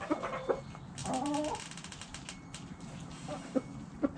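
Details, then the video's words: Backyard hens giving short clucks, with one longer drawn-out cackle near the start and a few sharp clucks toward the end, over steady background noise and wing-like rustling. "Backyard Chickens Relaxing Sounds Noises Video ASMR Hens Clucking Roosters Crowing!"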